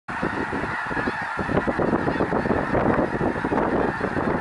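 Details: Thousands of snow geese flocking near Minot, North Dakota: a dense, continuous chorus of overlapping nasal honks and yelps, steady throughout with no single bird standing out.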